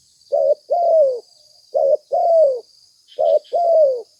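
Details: Spotted dove cooing as a lure for trapping: three even phrases, each a short hollow note then a longer coo that slides downward, repeated roughly every one and a half seconds over a faint high hiss.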